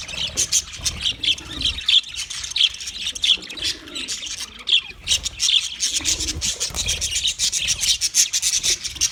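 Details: Budgies chatter and chirp with sharp squawky notes repeating roughly every second over a constant high warble, the bursts uneven in loudness.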